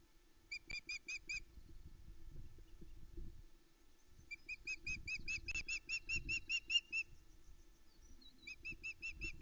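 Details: Female osprey calling loudly on the Loch Arkaig nest at about 5am on 13 July 2019, awaiting food from her mate, with chicks present; nest-camera recording. Fainter runs of sharp, whistled cheeping notes, about two to three per second, broken by pauses, with low rustling underneath.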